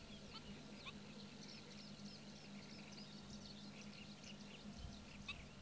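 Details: Black-winged stilt: a quick run of short, sharp calls repeated many times over about five seconds. A steady low hum runs underneath.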